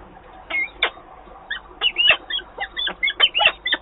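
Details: Peregrine falcon at its nest in Wałbrzych, Poland, on 17 April 2022, as one partner flies in to take over from the other. Harsh, grating notes come in irregular bursts, sometimes doubled, roughly every second.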